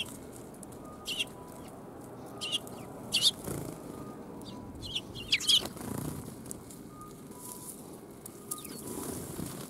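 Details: Sparrows gathering to be fed at a Tenmangu shrine, 1 January 2021: scattered high chirps and brief twittering bursts in irregular clusters, with soft wing flutters and a faint background hum.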